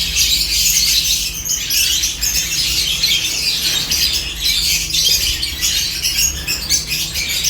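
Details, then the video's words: Feeding on corn, seventeen lovebirds keep up steady, busy chirping, many thin squeaky notes layered into constant chatter, with a quiet low drone in the background. "17 Lovebirds Enjoying Corn with Peaceful Chirping sounds"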